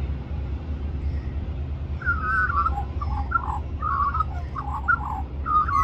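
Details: Australian magpie singing for more mango at Cirillo Reserve, Middleton Grange, New South Wales, Australia, among a group of young magpies; warbled, fluting phrases start after two seconds over a steady low rumble.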